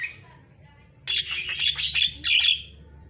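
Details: Javan myna in prolific song, producing dense, scratchy chattering phrases in two loud bursts separated by a brief gap, full of harsh squeaks and rasping notes, over a soft low hum.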